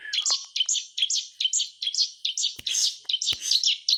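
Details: White-rumped shama kept as a songbird, its song used to coax silent shamas into singing: a rapid, regular train of high buzzy chattering notes, about two per second, with a few sharp clicks.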